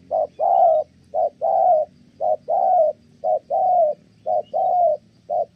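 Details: Good-voiced spotted dove from Kon Tum, Vietnam, in full coo before a female breaks in: soft, hollow hoots alternating short and long, roughly one pair per second, repeated steadily.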